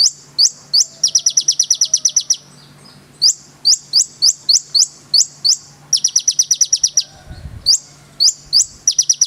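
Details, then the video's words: Energetic konin song of sharp, very high upslurred chips spaced about half a second apart, broken by two rapid stuttering trills of about ten notes each; a faint low hum underneath. "SUARA BURUNG KONIN GACOR FULL NEMBAK ISIAN MEWAH"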